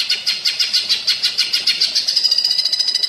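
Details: A training recording of a cucak ijo in platuk bawang style, with an unbroken stream of high, quick, sharp notes, several per second, becoming slightly faster and tighter in the second half.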